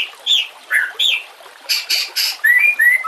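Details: White-rumped shama song played as a masteran for training other shamas, with nature sounds and trickling water: short whistled slurs near the start, then buzzy bursts and clear rising whistles, about eight notes in three seconds.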